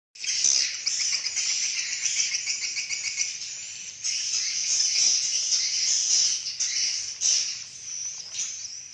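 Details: Swiftlets communicating: a dense continuous chorus of high chirping and twittering, rapid overlapping notes with brief louder bursts throughout.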